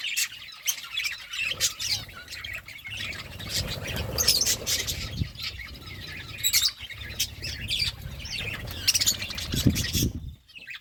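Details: Busy parakeet chirping during a fruit meal, many quick high tweets mixed with frequent sharp clicks and crackles from feeding, ending in sudden near quiet.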